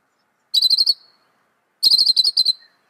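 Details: Northern mockingbird singing two phrases of fast, evenly repeated sharp chips, the second phrase longer, with silence between them and no other sounds.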